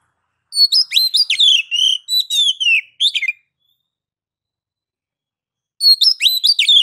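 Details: Oriental magpie-robin singing in the ngeplong style, a master recording for prompting other birds to sing: two bursts of loud, clear whistled phrases, sliding and trilled notes, separated by several seconds of silence.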